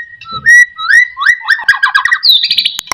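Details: Lure song of a white-rumped shama meant to set other shamas singing: clear whistled notes leading into a fast rattling trill, then higher rapid chattering notes and a few sharp clicks.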